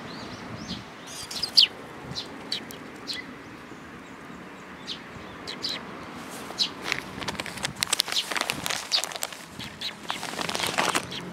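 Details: Several sparrows gather to be fed at a Tenmangu shrine, 22 May 2022. Scattered sharp chirps build into a busier burst of twittering near the end, with a faint background hum.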